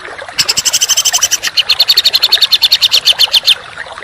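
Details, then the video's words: Songbird masteran of rough, close-spaced song: a three-second run of fast, harsh, high repeated notes, buzzy at first, then sharper and brighter toward the end. "Masteran Burung Kicau Tembakan Rapat dan Kasar"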